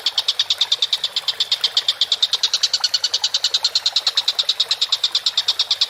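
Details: Vigorous collared kingfisher calling from a cage-bird training recording: six seconds of continuous rapid, harsh, rattling notes at a fast steady rhythm, loud and clear over quiet background.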